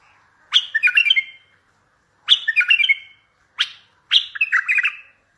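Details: Loud bulbul song meant to draw answers from distant bulbuls for trapping: four short bubbly, chattering phrases, each opening with a sharp note, separated by clear pauses.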